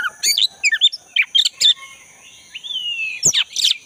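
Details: Oriental magpie-robin, black-breasted form, in energetic song recorded in forest: quick scratchy chirps and twitters, then a long thin drawn-out whistle and a sharp closing note.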